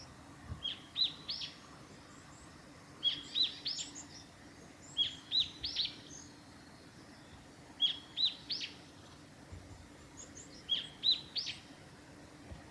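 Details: Japanese tit singing along the Hayatogawa forest road at Lake Miyagase, Japan, on 28 March 2020: short two- to three-note whistled phrases, each sharp and high, repeated about every two to three seconds against a quiet background.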